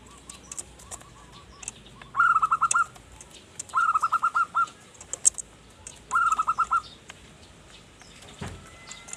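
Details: Zebra dove song used as a lure for wild birds: three rapid bubbling runs of repeated coo notes spaced about two seconds apart, preceded by soft coos, with clicks and a knock.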